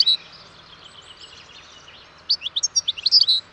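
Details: European goldfinch song: after a near-silent stretch, a quick burst of bright, high twittering notes, tinkling and closely spaced, closes the recording.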